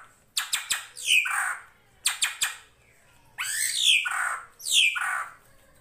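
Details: Drongo (srigunting krantil) training recording for songbirds like murai and kacer, over flowing water; two sets of three crisp clicks, then three harsh, raspy downslurred calls.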